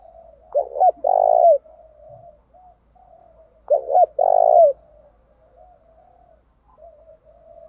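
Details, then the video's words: Decoy spotted dove cooing to lure wild doves, continuously switching its 'thúc' song style; two phrases about three seconds apart, each a quick stuttered double note followed by a long, rolling, vibrating coo, with soft murmuring coos between. "Tiếng chim cu gáy thúc bảo đảm bổi nghe gáy liền, chim cu gáy mồi đảo bài liên tục"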